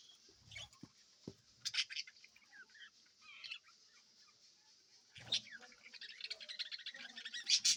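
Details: Active budgerigars in a clean breeding colony with fresh food and water: scattered sharp chirps give way to rapid, dense high-pitched chattering that grows louder toward the end, with a few dull knocks.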